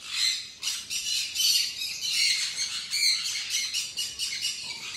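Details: A hand-fed red-collared lorikeet chick in Delhi gives harsh, raspy, high-pitched squawks that run almost continuously in uneven bursts, with no other sounds.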